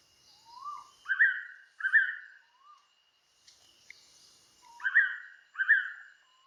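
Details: Blue-winged Pitta on Koh Man-nai island, Rayong, Thailand: two loud, clear whistled double-note calls about four seconds apart, each introduced by a softer rising whistle, over a thin steady high hum and faint hiss.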